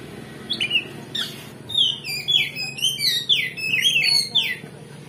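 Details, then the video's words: Oriental magpie-robin singing to provoke a fight: two short scratchy notes, then a steady string of clear, bending whistles repeated roughly twice a second, against a soft background hiss. "Pancingan Kacer Gacor Ngeplong Bongkar Isian"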